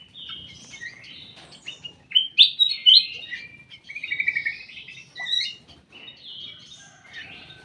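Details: Caged in a private aviary, a ruby-throated bulbul sings a lively stream of varied whistled and warbled phrases with several loud peaks, over a faint low background hum.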